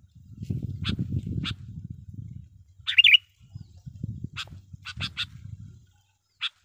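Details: Lure song of a sooty-headed bulbul for calling in wild birds: a few clear chirps, one fluid warbled phrase near the middle, then more chirps in quick pairs, over heavy low rumble.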